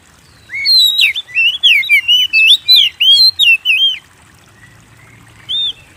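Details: Kacer, the oriental magpie-robin, in full song as a lure for hobby birds: a fast burst of about a dozen loud, slurred whistles with sharp high overtones, followed by silence and one last note.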